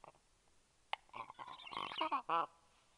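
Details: Four black stork chicks at their nest in Karula National Park, Estonia, at breakfast on a morning on 12 August 2022. They give a rising, jumbled burst of nasal, harmonic squeals and short yelps, ending in one louder drawn-out squeal.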